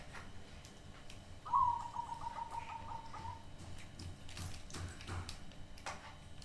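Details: Crossbred zebra dove with an unusual voice gives a brief pulsed coo, a quick run of soft notes that slide slightly downward over about two seconds, followed by clattering and knocking background noises.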